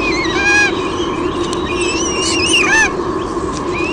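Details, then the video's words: Nest-cam recording of a female white-bellied sea eagle at Sydney Olympic Park, Australia, 23 June 2016, squealing as the male arrives with a fish. A run of loud, honking, harmonic squeals rising and falling in pitch, with steady background hiss. "Dad bring's a fish, Mom squeals"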